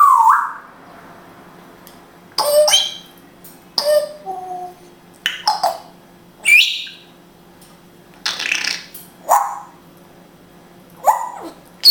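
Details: Indoor African grey parrot from Israel, a talking pet, produces scattered speech-like phrases, clicks and upward-sweeping whistles, roughly ten separate bursts separated by silent gaps, with a faint steady hum behind.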